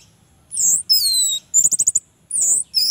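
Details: Orange-headed thrush song, played as a lure to prompt lazy captive males to sing: high, clear whistled phrases with downward slurs, a quick burst of five rapidly repeated notes, then further whistled phrases over a quiet background.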